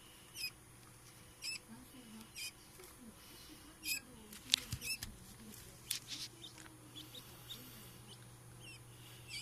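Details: Incubator-hatched quail chicks two days after hatching, recorded 14 August 2016: short, high, sharp peeps at irregular intervals, about a dozen in all, over a faint steady low hum.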